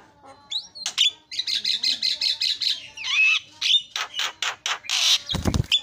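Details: Javan myna call played to make other mynas cry out: a rhythmic string of harsh rasping notes roughly three per second, with slurred whistles and a loud thump near the end.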